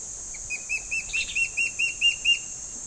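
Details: Two juvenile Gabar Goshawks begging from a tree while waiting for their parents to bring food: a run of about nine sharp, high piping notes, evenly spaced about four per second, growing slightly louder, over a steady background hiss.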